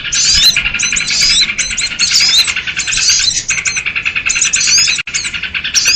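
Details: Noisy sooty-headed bulbul calling used as a lure for small birds: long stretches of harsh, rapid chattering with thin whistled notes layered over it, one short break near the end.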